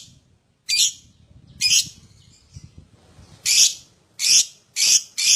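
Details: Lovebird lure sounds for prompting others to sing: loud, harsh, high chirps in irregular bursts with a low rumbling background between them.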